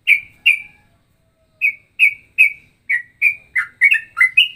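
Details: Cucak rowo and trucukan-like ropelan: spaced, ringing whistles that slowly speed up into quicker paired chirps toward the end.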